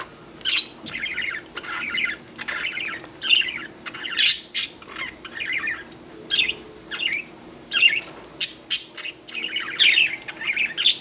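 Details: Happy pet budgies around a bath chatter almost nonstop: rapid scratchy warbles and sharp high squeaks in dense runs, broken only by short gaps.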